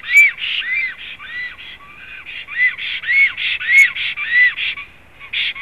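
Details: Black storks at a nest in Zemgale, Latvia, 7 April 2016: rapid series of arched, hoarse nasal notes, each rising then falling, about two per second, overlapping in a steady chattering stream.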